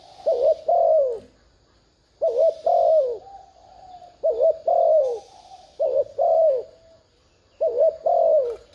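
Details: A spotted dove coos repeatedly to attract wild doves. Five evenly spaced low phrases pair a quick wavering note with a longer descending coo, with bursts of faint high hissing in the background.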